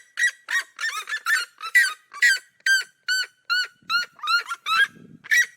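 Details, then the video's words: Red-legged seriemas of the cerrado, call and duet song: a crowded burst of overlapping yelps that settles into clear, regular ringing barks, around two per second. "CHAMADO E CANTO EM DUETO DA SERIEMA"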